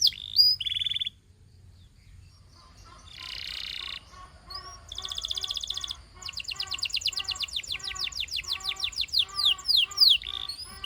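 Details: Song of a Belgian canary: short loud notes, a pause, a harsh buzzy burst, a fast metallic trill, then a lengthy rolling series of rising sweeps, many repeated about three per second.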